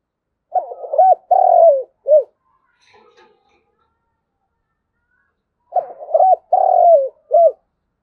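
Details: Spotted dove calling the flock, giving two phrases of several notes: quick stuttered coos, a drawn-out hoarse note that falls away, and a short closing coo, with silence between the phrases.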